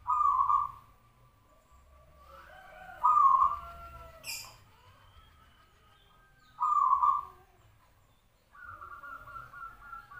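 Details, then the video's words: Actively singing local zebra dove of the 'sarang tanah' type. Soft whistled coos come in clusters a few seconds apart, some bending down slightly. A brief sharp high click cuts in midway through the recording. "suara perkutut lokal, katuranggan sarang tanah gacor bersusun double"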